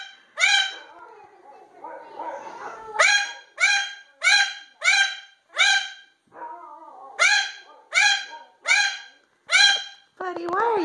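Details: A pet cockatoo named Leo imitates a dog, which may be barking at the neighbours' dog, with about ten harsh, bark-like bursts, roughly one every second. A person talks softly in the gaps.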